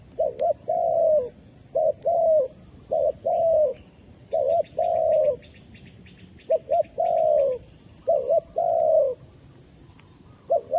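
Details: Spotted dove kept as a lure for trapping wild doves, cooing repeatedly: paired short hoots followed by a long, falling, mellow coo, in roughly six phrases. A brief high, rapid chirping trill from another bird is heard midway.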